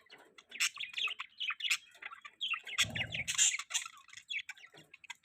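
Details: Mating call of budgerigars: rapid twittering and chirping from several birds, scratchy warbled notes running together, with a short low rumble and a sharp high squeak midway.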